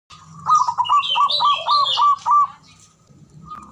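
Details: Male zebra dove call used as a lure to stir silent, reluctant birds into calling: a fast run of clipped, hollow notes, about eight in under two seconds, with thin higher twittering from another bird laid over it.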